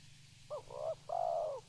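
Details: Spotted dove calling: a short two-part cooing phrase, a brief low coo followed by a longer, fuller purring coo, with a steady low hum in the background.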